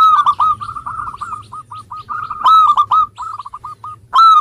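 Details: Zebra dove of a local strain in full song, meant as a lure for reluctant singers: dense, almost continuous cooing with rapid clipped notes and louder drawn-out coos at intervals, phrases overlapping closely.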